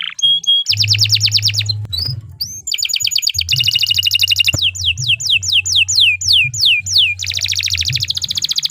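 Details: Canary delivering an extended 'gacor panjang' song meant as masteran for other birds: a short whistle, rolling buzzy trills, a string of bright downward-swept notes and a final fast rattle, with a low background hum.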